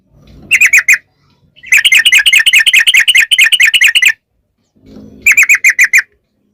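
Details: Yellow-vented bulbul giving a long rapid 'ropel' song used as a lure to make other bulbuls sing back: three bursts of fast, evenly repeated bright chirps, with a low rumble before two of them and short silences between.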